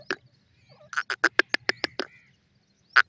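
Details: A female francolin talks to her chicks with a rapid series of about eight rasping, clipped notes. An isolated note comes before the series and a final loud note comes after a short gap.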